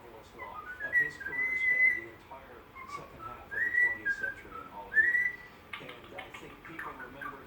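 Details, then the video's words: Sleepy pet bird whistling the Andy Griffith Show theme: three pure, sustained whistled notes that slide up and fall away, with soft chattering and indoor noise in the gaps and a scratchy burst near the end. "bird singing while tired"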